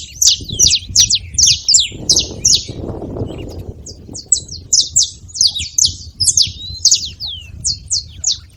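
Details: A group of saffron finches noisily chirping together, a steady stream of high, sharp tweets in quick succession, with a soft rushing noise in the middle and low background rumble.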